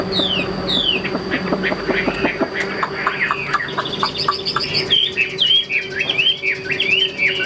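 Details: Caged Chinese hwamei: first a jumble of low buzzy notes and background hum, then a clear high series of short repeated whistles and looping, wavering phrases.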